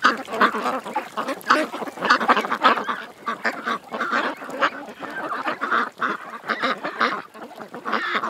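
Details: Creekside ducks keep up a continuous clamour, many rough quacks and honks layered together with brief lulls.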